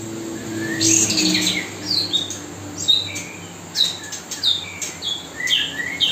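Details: Spotted magpie-robin setting, with a kapas tembak singing nonstop for song mastering while a fledgling is fed: short clear whistled notes, some rising, some falling, repeated irregularly about every half second over a low droning hum.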